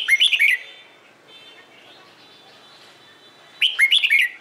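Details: Red-whiskered bulbul giving morning competition-style song used to train newly caught birds; two short rich warbled phrases, bright whistled notes dipping and rising, one at the start and one near the end, quiet gap between.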